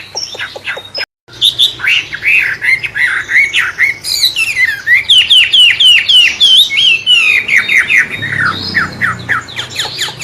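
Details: Long wambe bird song, likened to a magpie robin and used as a tutor for songbirds: after a brief gap, fast repeated whistled slurs and chips pour out in dense, varied sequences.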